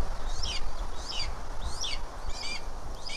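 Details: Red-tailed hawk chick, hatched about 30 April 2023, at the nest of a leucistic female in Tennessee: thin, high chirping notes repeated about twice a second, over a steady low rumble of wind.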